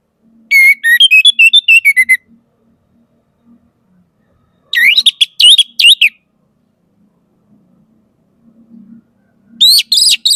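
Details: Orange-headed thrush repeats lively whistled phrases, fast runs of varied notes jumping up and down, in three bursts spread over ten seconds, with faint low murmuring between them.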